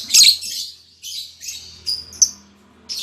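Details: Harsh high squeaks from a caged lovebird pair just matched, albino MM male and lutino MM female, fading through several short scratchy notes with a sharp single chip before a final burst.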